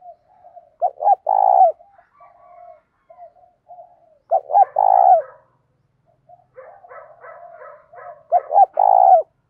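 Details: Spotted dove calling in the morning to lure wild doves, in the 'thổ' voice style mixed with 'thúc gù'. Three deep coo phrases, each two quick notes then a long throbbing coo, with soft chattering notes between.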